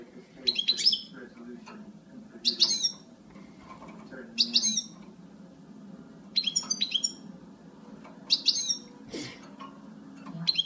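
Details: Female European goldfinch calling: clusters of sharp, high, twittering notes repeated roughly every two seconds, some doubled, above a low continuous background murmur.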